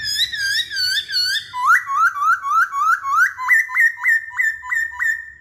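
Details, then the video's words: Masked laughingthrush giving clear whistled notes: several looping slurs, then a steady series of sharp upward-flicked whistles repeated roughly three times per second, evenly spaced and loud against a quiet background. "Kicauan Poksay Hongkong"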